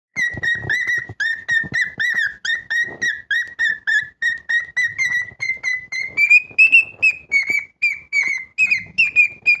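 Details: Pet cockatiel singing loudly and artistically indoors: a long string of clear, quickly repeated whistled notes, about three a second, that rise slightly in pitch toward the end.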